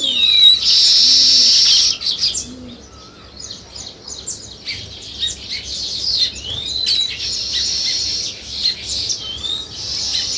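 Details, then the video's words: Sparrow chirping near nest-building weaver birds, opening with a loud two-second burst of massed high chirps, then scattered quicker tweets and short upslurred notes, with the chorus swelling again in the last few seconds. "Sparrow Chirping Sounds"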